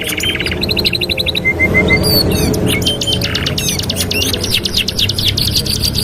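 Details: Canary 2-in-1 master song meant for training: short trilled bursts, a few clear whistled notes, then rapid dense high trilling, over noticeable low-pitched background rumble.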